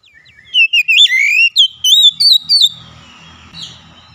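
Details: Oriental magpie-robin song, played as a lure to get a hard-to-start bird singing freely. Fast, varied whistled phrases with slurs and sharp upward flicks come in quick bursts, then fade into a faint hiss.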